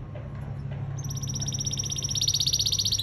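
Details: Male canary in singing training; after a second of low hum, a fast high pulsed trill begins and grows steadily louder to the end, with a steady low background hum throughout.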